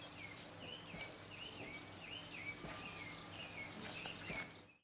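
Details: Bronze mannikin (Spermestes cucullata cucullata) at Kibuye, Rwanda, March 2013, giving short rising-and-falling chirps about twice a second, with faint higher twitters, over a steady noisy background.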